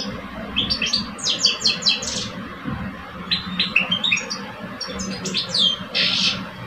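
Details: Two caged male European goldfinches from Algeria, an older bird and a two-year-old, in a singing contest: bright, twittering phrases of quick high notes in bursts, with a buzzy trill near the end, over a steady low background hum.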